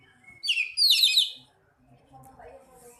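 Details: Kacer, the Oriental magpie-robin, joining in song after another bird: one brief loud burst of high, sharp whistled and scratchy notes, followed by faint, low twittering.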